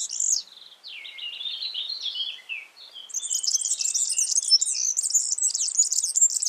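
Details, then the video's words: Yellow-fronted canary singing in the wild: a bright, fast warble that opens with high notes, slides down into chattering trills, then bursts into a dense, high, tumbling twitter through the final seconds; no other sounds stand out. "Suara burung Mozambik gacor di alam"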